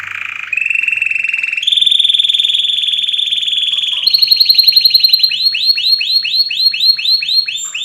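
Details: Powerful canary song moving through rapid trills that step higher, then switch to quicker chopped notes and a run of repeated upswept chirps near the end.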